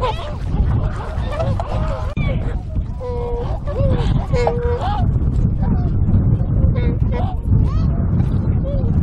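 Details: Tundra swan flock wintering on a river at Kawajima, Saitama Prefecture, Japan, on 4 February 2017: overlapping mellow, flat honking notes, some bugled in quick pairs, rise from many birds over a steady low roar.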